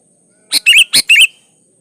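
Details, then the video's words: Sooty-headed bulbul song used to encourage other bulbuls to sing: a quick pair of phrases, each a sharp click followed by a bright, bouncing whistle, in under a second. "Suara Burung Kutilang gacor Ampuh buat pancingan kutilang agar bunyi"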